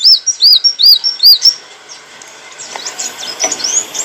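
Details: Olive-backed sunbird, recorded as training material for cage birds, gives four high arched chirps in the first second and a half, then faint distant twittering.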